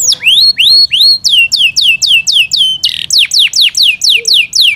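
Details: Loud song from a Yorkshire canary the owners look after: ringing upswept whistles that turn into regular downslurred notes, about three per second, with a short harsh rattle midway.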